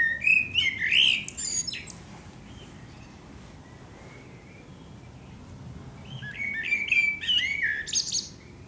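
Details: Eurasian blackbird (Turdus merula) singing at sunset in Akersloot, Holland, Netherlands, 30 March 2018: a mellow warbled phrase ending in high squeaky twitters, then a quiet pause before another fluty, twittering phrase.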